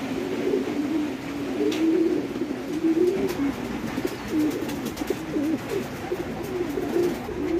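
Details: Domestic fancy pigeons kept on a farm in Bangladesh, wavering low coos that wander up and down in pitch, several birds overlapping into a steady hum.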